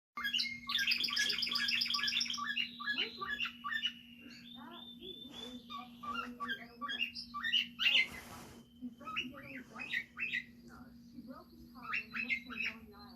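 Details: A baby cockatiel, possibly female, starts to whistle, giving short, high tonal notes and chirps in uneven bursts.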